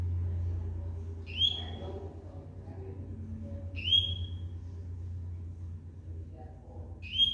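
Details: A Double-collared Seedeater that keeps singing even while moulting gives short, bright whistled notes, each sliding down to a level tone, about every two and a half seconds over a steady low hum.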